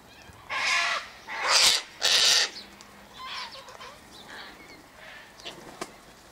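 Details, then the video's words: Three loud, grating screeches in quick succession from Sulphur-crested Cockatoos feeding in a flock on scattered seed by an eastern gate, followed by quieter, more distant squawks trailing off. "Cockatoo Flockatoo"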